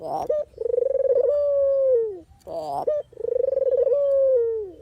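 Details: Barbary dove calling, recorded for use as a trapping lure: two long purring coos, each beginning with rapid pulsing and drifting into a smooth tone that sinks at the close, separated by a short harsh note.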